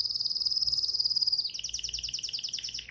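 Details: A bulbul sings a rapid high trill that steps down midway into a run of fast, slightly lower rattling notes.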